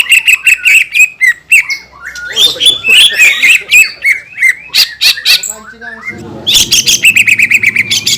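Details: Lure song of a green leafbird aimed at angering other green leafbirds: quick ticking clicks leading into tumbling, varied chirps and squeaky whistles, later a fast twittering trill over a faint low rumble.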